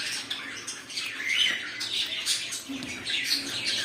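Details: Several pet cockatiels give softer, high chirping calls and short squawks, overlapping loosely with small gaps between bursts.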